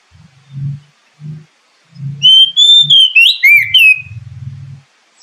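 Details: Oriental magpie-robin song played as a lure to make kept birds sing quickly and boost the spirit of established adults and speckled young birds: soft low thumps first, then a loud run of varied whistled and trilled phrases, falling at the end.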